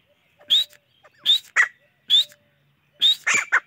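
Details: Chachalaca calling: short bright upslurred whistles, four of them roughly evenly spaced, each followed by harsh scratchy squawks. The background is quiet.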